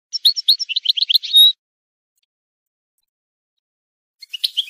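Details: Teaching tape of goldfinch song: a quick series of about a dozen high twittering notes ending in a drawn, clear whistled note, then silence and a softer twitter at the end.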